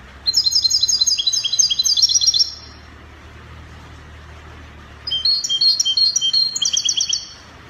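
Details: European goldfinch from Morocco in Spanish copia song style: two long, fast series of sparkling, metallic high trills, each about two seconds long, separated by a quiet gap over a soft low hum.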